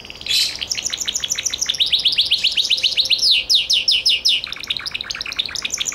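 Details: Gloster canary song: a loud burst, then fast rhythmic trills of repeated sweeping notes, some deeper rolling rattles, and continued chattering phrases.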